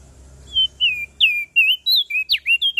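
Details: Lively Lombok tailorbird song: clear high whistled notes in quick succession, level or gently falling, ending in sharp downward strokes and brief rising whistles. Almost no background sound.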